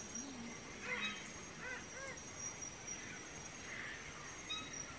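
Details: Red bird-of-paradise at a display tree where males dance for females, giving short, nasal, honking calls in quick pairs and scattered bursts, over a steady high insect whine and forest hum.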